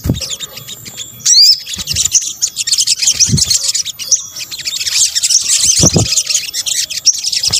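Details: Sunbird (sogok ontong) calls for luring birds, Indonesia: one loud upswept whistled note early, then steady high, fast twittering chatter with soft background rustling.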